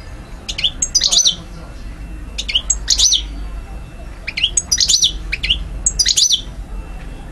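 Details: European goldfinch in Algiers, Algeria, 2012, delivering a lively run of high tinkling, liquid chirps and quick trills in bursts roughly every second, with soft rumble underneath.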